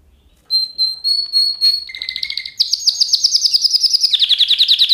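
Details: Singing canary opening with soft clear whistled notes, then a low buzzy tone, followed by loud, fast, rattling trills of repeated high syllables that continue to the end.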